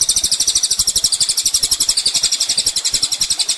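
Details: Sunbird known locally as kolibri ninja, recorded as a master for teaching cage songbirds: a continuous shrill trill of fast repeated high notes, about four per second-fraction, with faint low pulsing underneath.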